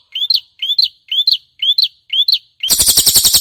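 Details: Prinia cililin song for use as a clear master recording for songbirds: five sharp, rising chirps with a flicked ending, spaced about half a second apart, followed by a sudden loud buzzy rattle.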